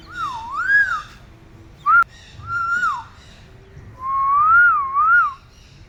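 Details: A pet parrot whistling in response to its owners indoors: clear wavering whistled phrases that rise and fall, a short one, a longer warbling phrase, then a long undulating whistle near the end.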